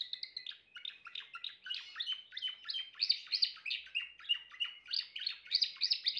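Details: Timbrado canary in full song: a continuous rolling stream of rapid chirped and trilled notes, shifting between lower and higher registers and swelling in bursts, with a quiet indoor background.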